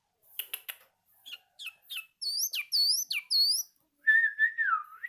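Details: Song-learning yellow-vented bulbul: sharp clicks, then high arched whistled notes repeated three times, ending in a lower drawn-out wavering whistle.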